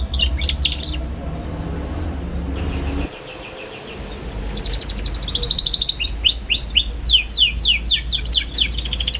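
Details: Twittering young canary, a lure recording for young canaries learning to sing: brief chirps at the start, a quiet pause, then an accelerating stream of high downslurred chirps.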